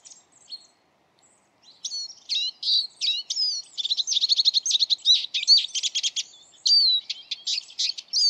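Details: Eurasian siskin (Carduelis spinus) song that opens with a few faint notes, then becomes a lively high twitter. Slurred whistles and bending wheezy notes mix with quick rattling chirp series, ending in drawn-out strained phrases.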